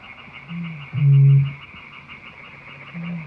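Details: Eurasian bittern decoy recording: one loud, deep, hollow boom of about half a second between fainter low booms, over a steady high-pitched hum.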